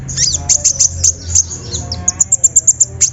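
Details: Sunbird song played as a lure to prompt a reluctant bird to sing: sharp, very high chirps and short down-slurred notes, then a fast run of evenly spaced high ticks near the end, over a low steady hum.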